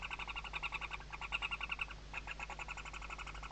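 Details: Western barn owls at a nest, filmed by a webcam in Riet Vell Nature Reserve, Ebro Delta, Tarragona, Spain, during the 2023 season, chicks under the mother's wings; rapid harmonic ticking pulses in fast runs, with a short pause midway.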